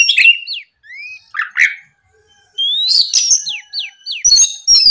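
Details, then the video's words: Morning song of an Oriental magpie-robin used as a lure to provoke rivals: high sliding whistles, quick downward-slurred notes in series, and scratchy chatters, separated by short silences. "MEMANCING KACER LAWAN LEKAS BUNYI GACOR DIPAGI HARI, TERAPI SUARA PIKAT BURUNG KACER GACOR NGEPLONG"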